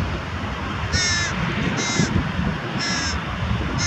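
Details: Carrion crow carrying prey and feeding its young near Diemerbos on 22 July 2020; three short, harsh, nasal calls about a second apart over a steady low rumble of background noise.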